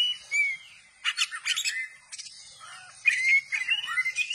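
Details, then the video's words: Oriental magpie-robin singing with spread tail: a sliding whistle, then bursts of harsh chatter, followed by more descending and rising whistled slurs. "kacer gacor dor ,kacer gacor buka ekor"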